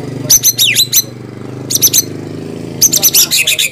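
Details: White-rumped shama giving three bursts of rapid, high, scratchy chattering notes separated by short pauses, over a low background hum.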